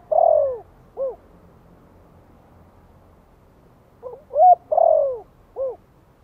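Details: Spotted dove, Vietnam, soft Giọng Thổ-style lure cooing to spur newly kept doves: the tail of one phrase, then after a pause a full phrase of short rising notes, a long falling coo and a brief arched note.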